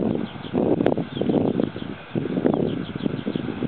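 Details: Northern gannets at the Bempton Cliffs colony, Yorkshire: harsh, grating calls in two long bursts, one after the other, over a steady low rumble of colony noise and wind.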